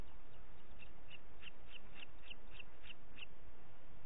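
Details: Booted eagle calling in Parc Natural dels Ports on 30 June 2021 at 11:01: a string of about eight crisp, high, repeated notes at a steady quick pace, with hiss beneath.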